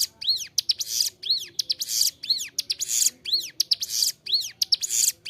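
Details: Bar-winged prinia song recorded as a master track for caged birds: chains of arched whistles and scratchy buzzes, the phrase repeating roughly each second, very clear and unbroken.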